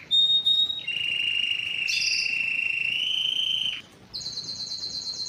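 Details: Canary singing steady whistled tones: a short high note, then a long lower sustained note lasting nearly three seconds, a brief pause, and a fast buzzy high trill to finish.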